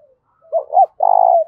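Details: Loud, ringing spotted dove coo meant to stir up fighting: a faint low note, then two rising hooked notes and a long buzzy, throbbing final coo.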